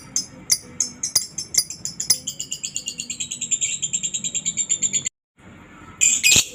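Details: Lovebird ngekek used to lure other lovebirds into song: shrill chattering that starts with spaced clicks, then quickens into a fast, even high rattle for several seconds, breaking off before a short harsh burst.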